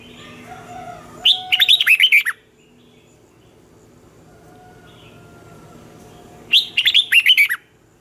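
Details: Red-whiskered bulbul in the twisting-voice morning song used to train young birds: two vigorous phrases of tumbling whistled notes, about five seconds apart, with quiet soft tones between them.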